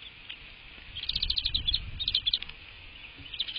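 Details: American bald eagle at its nest, recorded by a live nest camera at 07:53 on 22 March 2024; a rapid series of thin, high, staccato chirping notes comes in two bursts, over low rumbling and wind noise.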